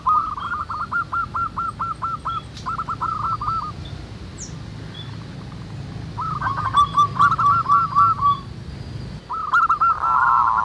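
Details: Local zebra doves singing in the wild, many together: stuttering runs of short cooing notes, a long run then a pause filled with low rural background noise, then two more bursts growing louder.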